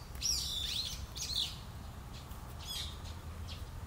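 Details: Tsushima long-eared owls, parent and young: a cluster of loud, rasping squeals with whistled tones opens the recording, then fainter scattered screeches follow over a soft low rumble.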